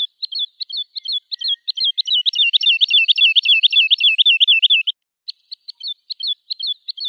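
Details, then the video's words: Woodlark song that begins with spaced, hesitant notes and speeds into a loud, rolling trill of looping whistles. After a short pause it ends in sparse, softer notes. No other sounds are heard. "تغريد طائر الولوال Woodlark Alouette lulu"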